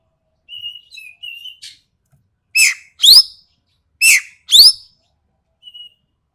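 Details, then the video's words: Sumatran ekek keling with a sharp, coarse voice: soft thin whistled notes first, then two pairs of loud harsh descending calls about a second apart, ending with a faint short whistle. "BURUNG EKEK KELING SUMATERA SUARA TAJAM DAN KASAR"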